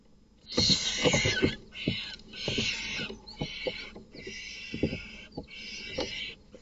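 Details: Barn owl nest box at night, where an intruding male kills another male's offspring: a series of raspy, hissing shrieks about a second long, separated by short gaps, with clicks and bumps of movement.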